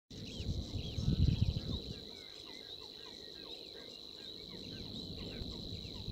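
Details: A Savi's warbler reels a fast, even, insect-like buzz held at one high pitch at Waterland, Netherlands, on 7 May 2019. Other birds chirp and whistle around it, and wind rumbles briefly at the start.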